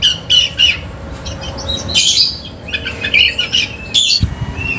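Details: Lure-bird Oriental magpie-robin with tail spread: short chirps and harsh chattering phrases at moderate loudness over a hum, with a low thump near the end.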